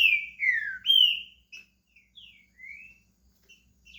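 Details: A pet green-winged saltator in Brazil opens its song with loud, full whistles gliding downward, followed by softer short whistled notes spaced across the phrase.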